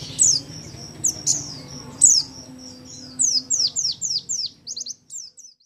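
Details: Oriental white-eye of the Paud type, kept at home, singing in rapid 'nembak' style as a tutor song: thin, high downslurred chirps about a second apart, then quickening into a fast run of short notes before trailing off, over a low hum.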